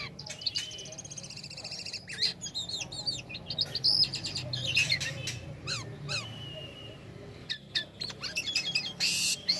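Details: Black-winged starling song used as a lure to get songbirds singing: a varied run of clear whistles, quick upslurred notes and scratchy chatter over a low background hum.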